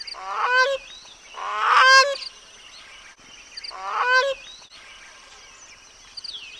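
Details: Grey crowned cranes with their chicks: loud, nasal honking calls in three bursts, each a rapid stack of rising harmonics about two seconds apart, then quiet with faint higher bird notes.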